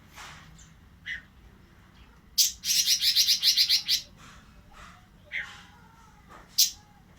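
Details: Oriental magpie-robin in breeding condition: scattered high, sharp notes, then a loud rapid burst of harsh, buzzy chattering lasting over a second, followed by more isolated bright chips.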